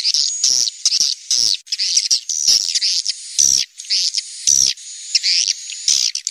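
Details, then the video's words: Swiftlet calls taken from a natural cave recording: bursts of high, buzzy chirping broken by brief pauses and a few sharp clicks, the chattering swelling and fading several times. "suara panggil walet asli alami rekaman dari goa"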